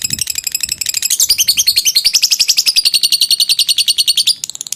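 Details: Lovebird ngekek panjang, a long trill for training birds: it starts softly with a faint low thump, then swells into a loud, rapid, high chatter of evenly spaced notes before fading at the end.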